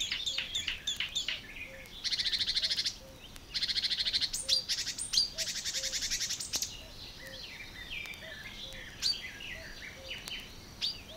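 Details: In water-meadows and coastal pastures at Matsalu, a Marsh Warbler sings a fast, varied medley of chattering and whistled phrases broken by harsh buzzy trills, while soft low notes repeat about once a second behind.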